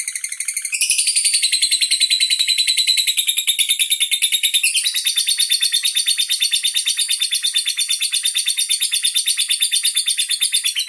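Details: Caged andong lovebird showing off long-duration singing beside its handler: a sustained rapid chattering stream of harsh high notes, pulsing about twice a second, unbroken across the whole stretch.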